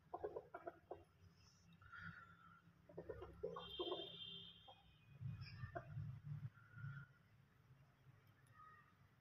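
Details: Desi chickens kept at home: bursts of short, harsh clucks in quick runs, a few broken bursts spread over several seconds with a low background hum and faint higher chirps.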